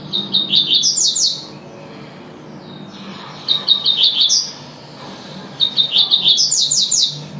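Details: Tui-tui song of a double-collared seedeater, repeated three times. Each phrase opens with clipped high notes and rises into a fast run of bright, ringing whistles, about two seconds apart. A quiet low hum sits underneath.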